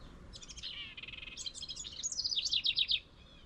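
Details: House Wren in a tree near its birdhouse gives a bubbling, rapid song about three seconds long, opening with buzzy rattles and ending in quick high trills; faint background hiss.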